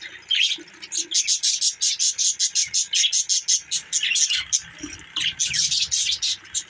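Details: Budgerigar chirping in fast, regular pulses, about four sharp high chips a second, running almost without pause.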